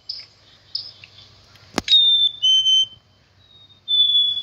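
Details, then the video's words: After a loud thump, a black-capped chickadee gives clean two-note whistles, the first note higher and the second a step lower, twice in a few seconds; faint low hum throughout. "black cap chickadee bird"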